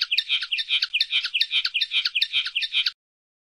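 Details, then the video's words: Common linnet song phrase of rhythmic, repeated twittering notes, about two to three per second, fairly regular, each with a bright upper element and buzzy lower part, lasting about three seconds. "El Canto del Pardillo"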